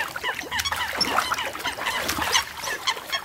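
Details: American coots fighting over territory and mates on Floating Island Lake, northern Yellowstone National Park: harsh, nasal clucks and squawks overlap from several birds, broken by sharp splashes of water.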